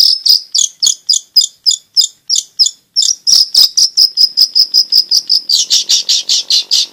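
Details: Song of a long-tailed shrike that sings constantly, played to prompt quiet shrikes to sing and to train young birds. Bright, clipped notes repeat roughly every quarter second, closing in a faster, buzzy series.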